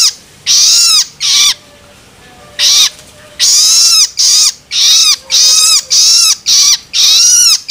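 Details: Juvenile long-tailed shrike begging calls, used to stimulate adult birds: loud, harsh, noisy rasping calls, each about half a second long, coming in bursts with short gaps, some closely spaced.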